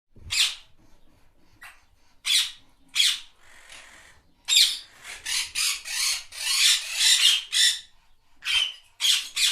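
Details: Talking parrots, yellow birds kept as pets, give harsh, raspy bursts of sound, single squawks at first, then a dense run of grating, broadband calls in the middle, ending with a few scattered rough notes.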